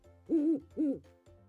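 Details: Owl giving two low, mellow hoots in quick succession, each about a quarter second long, over soft background music.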